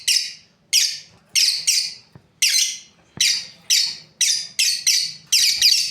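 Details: Lovebirds, a breeding pair, chirping steadily: around a dozen sharp, scratchy high-pitched notes, each a brief falling screech, spaced roughly half a second apart.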